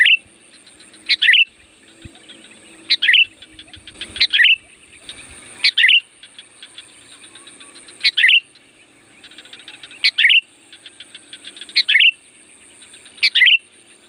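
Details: Sooty-headed bulbul, a loud lure song for wild birds: brief rich, slurred notes repeated about every one to two seconds, seven in all, with a steady buzzing chatter in the background.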